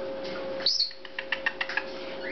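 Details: A home-bred, hand-fed young Meyer's parrot, hatched 5 September 2010 (or 9 May), gives a high squeaky note, then a quick run of short, bright chirps indoors.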